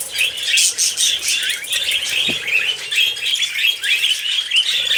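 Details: Several pet budgerigars sing during a morning bath, a busy run of high chirps, rapid warbles and short squawks overlapping without pause, with a brief low thump midway.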